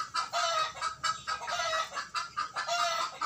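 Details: Three young native roosters, 60 days old, crowing for the first time on a home-scale free-range chicken farm in Parapat; several rough, broken, overlapping crows follow each other closely, with clucking mixed in.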